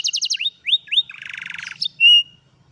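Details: ['Old canary, afternoon: a burst of fast repeated notes, two rising whistles, a buzzy rolling trill, then one long pure whistled tone.']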